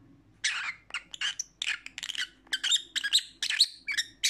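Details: Pet lovebird calling indoors: a rapid series of shrill, harsh chirps and squawks in bursts, some with whistled overtones, roughly two a second.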